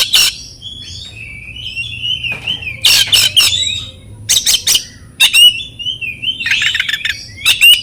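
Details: Oriental magpie-robin in a training recording meant to stimulate silent or stressed captive birds into singing: wavering whistled phrases alternating with harsh, explosive bursts, against a low background hum.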